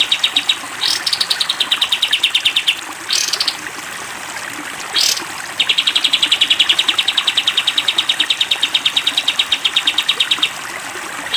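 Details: Long 'tembak panjang' song of a sooty-headed bulbul, kept as a training recording for cage birds: short chip runs and several water splashes, then an extended, evenly spaced rattle of bright notes lasting about five seconds.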